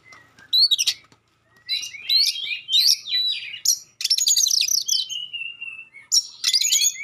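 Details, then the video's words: Magpie-robin delivering sharp, clear song to make rival magpie-robins answer; dense runs of high, slurred whistles and fast chatters, including one long, gently falling whistle, broken by a brief silence near the start. "suara tembakan tajam juga suara jernih bikin kacer lain langsung respon ngobra"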